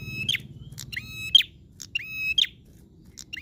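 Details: Energetic prinia song: clipped, metallic chirps in fast pairs and singles, roughly one per second, each a high ringing note with a short upward flick, over a soft low rumble.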